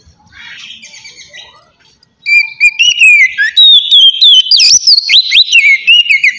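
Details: Oriental magpie-robin giving a relaxed 'ngeplong' song to lure untrained birds. A soft buzzy murmur comes first, then loud clear whistles with steep upward and downward slurs that go on to the end.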